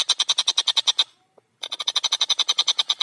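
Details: Long-tailed shrike in energetic song with a clear voice. Two runs of very fast, evenly repeated harsh notes, roughly twelve per second, are split by a brief silence.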